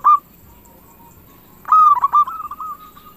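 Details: Zebra dove of a local strain, sung as a lure for other doves; a single clipped note, a pause, then a quick run of ringing coos trailing into a long level hum.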